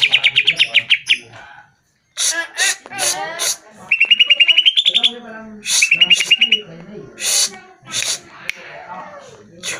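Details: Greater green leafbird song used as a lure for caged birds to sing. Rapid ringing note series start and recur, rising slightly, separated by loud raspy bursts, scratchy chatter and a short silent gap.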